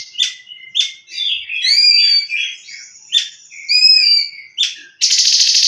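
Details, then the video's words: Leafbird song in tembakan style: a varied run of clear whistled notes, slurred rising and falling phrases and sharp chips, ending in a sudden loud, harsh buzzy burst. "TEMBAKAN CUNGKO"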